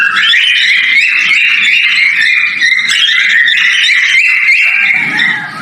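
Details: Male cockatiel mating call during breeding, heard as dense, unbroken whistling with overlapping bright notes and a faint low rumble near the end.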